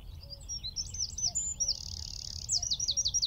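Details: From about 15 m away, a wren perched in a tree at Wicken Fen delivers fast high chattering notes running into a long even trill, then a string of sharply descending slurred notes; faint low rumble behind.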